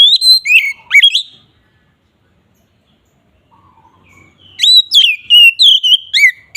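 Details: Lure song of an Oriental magpie-robin in ngeplong style: a short burst of ringing whistles, about three seconds of near silence with a soft twitter, then a longer rapid string of loud sharp whistled notes.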